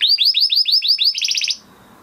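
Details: Huppe Spanish Timbrado canary from 2020 breeding sings a training-song phrase: quick series of upward-curving chirps about six per second, shifting into a tighter rapid trill before stopping.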